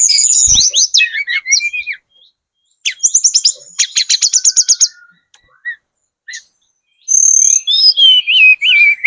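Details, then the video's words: Sunda robin, spotted form, very vocal, used as a lure recording to draw replies from other birds: fast varied high whistles, trills and rising and falling slurs, with a rapid run of clicking notes near the middle and short silent gaps. "PANCINGAN TLEDEKAN GUNUNG TROTOL SUPER GACOR, burung manapun pasti nyaut"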